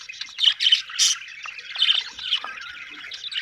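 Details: Several budgerigars give busy warbling chatter, broken by louder chirped bursts around the first second and again near two seconds.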